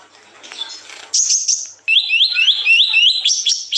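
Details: Song of a kolibri ninja sunbird, used as a tutor for young birds to sing sooner: a faint murmur, then a high sustained trill, then a run of quick rising upslurred whistles repeated about four per second.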